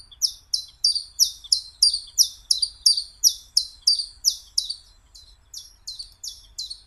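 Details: A Common chiffchaff (Phylloscopus collybita) sings a rhythmic series of about twenty bright, high, falling chirps, slightly irregular in spacing and softening toward the end.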